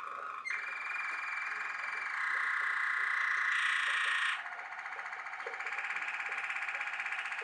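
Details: Waterslager (Malinois) canary sings a long, smooth, held tone that shifts pitch, then breaks into a rapid, bubbling, water-like roll.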